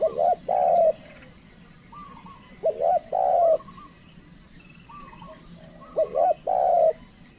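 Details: Spotted dove kept as a trained decoy to call in wild birds: three coo phrases roughly every two and a half seconds, each a quick double note then a long mellow coo, with light chirps behind.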